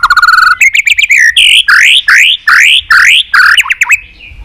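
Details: Loud, many-voiced fighting song from a white-rumped shama, meant to spur other birds into song: a fast buzzy trill, then a steady series of rising slurred whistles about two or three per second.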